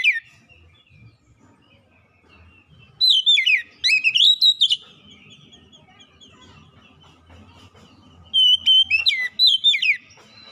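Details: Oriental magpie-robin lure song used to get quiet birds singing: faint twittering and low background noise, then two strong bursts of slurred whistles and crisp chips about five seconds apart.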